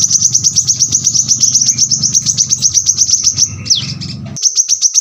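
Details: Brown-throated sunbird in a tight, sharp rapid-fire song: a long fast train of very high, even ticking notes, a brief downward whistle near the end, then a final short burst. A low background hum runs throughout.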